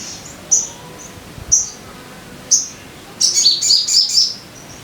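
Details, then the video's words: Crested jay, a caged bird, singing a lure song meant to get other caged birds singing. Sharp high chirps come singly at about one-second intervals, then a fast burst of tumbling squeaky notes. The background is quiet. "Pancingan Suara Burung Sogon Biar Cepat Gacor"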